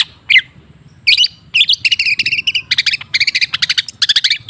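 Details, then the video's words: Cendet, the long-tailed shrike, in a lure recording meant to make a silent bird sing more often: a few separate scratchy notes, then dense rapid chattering trills of high buzzy pulses, over a faint low background hum. "Suara TERAPI pancingan cendet macet supaya rajin bunyi..!!!"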